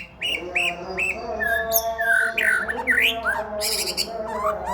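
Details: Varied isian song of a male white-rumped shama: short rising whistles, harsh squawky phrases and swooping slurred notes in quick succession, with a constant low hum underneath.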